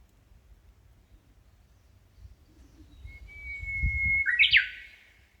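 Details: Small bird singing along a shaded park footpath in Nishi-no-kubo Park, Hondo-machi, Amakusa City, Kumamoto, Japan, on a hot early-summer day: a long, steady, clear whistle swells, then breaks into a quick, bright, tumbling flourish. Faint low background rumble.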